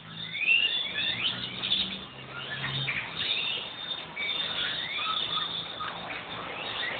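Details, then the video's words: Hundreds of small birds gathering in trees in front of a house each day from six in the evening onward: a dense, steady chorus of overlapping high chirps, tweets and short sweeping whistles, over a faint low hum. "Canto de los pajaros"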